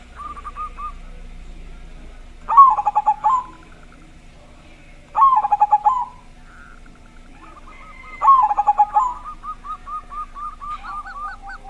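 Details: Big-voiced zebra dove meant to make other zebra doves sing. Three loud, rapid, pulsing coo phrases come roughly every three seconds. Quieter coos run in between and then build into a long, quick series of repeated notes at the end.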